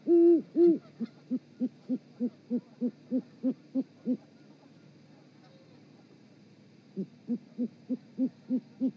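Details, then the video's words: Great horned owl pair hooting a mating duet at the Charlo osprey nest in Montana, 7 February 2018, 18:12, on a live nest camera: two loud deep hoots, then a steady run of about eleven short low hoots, a pause, then six more. "GHO's nookie duet"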